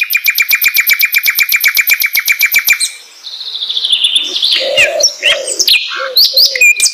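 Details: Flycatcher (sikatan londo) opening with a fast, even rattle of about three dozen sharp repeated notes over three seconds, then a jumble of high twitters mixed with lower, softer nasal notes.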